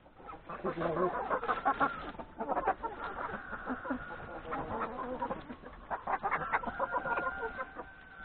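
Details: Chickens, including three roosters, at breakfast in a yard before going to graze in the forest; dense chattering clucks in quick irregular bursts, with a few longer level notes toward the end.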